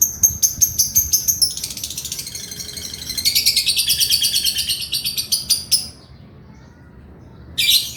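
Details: Male lovebird in lively 'ngekek' chattering song: fast rattling series of shrill harsh notes, several seconds long, shifting into denser buzzy chatter, then silence and a final short burst.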